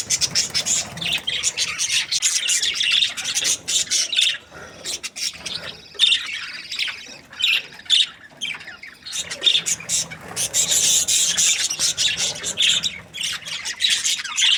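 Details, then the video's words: Happy budgerigar breeding pair chattering at length: continuous high, buzzy warbles and squawks in waves, with brief pauses around the fourth, seventh and ninth seconds before chatter resumes strongly. "Happy budgies chirping sounds | parakeet breeding pair"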